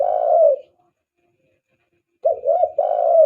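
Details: Cooing of a spotted dove, recorded as a lure for doves: a drawn-out coo fades away, and after silence a quick pair of hoarse notes leads into another long, level coo.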